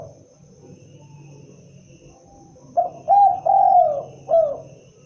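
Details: Spotted dove calling once after low background rumble, its phrase a short coo, a second note, a long drawn falling coo and a clipped closing coo.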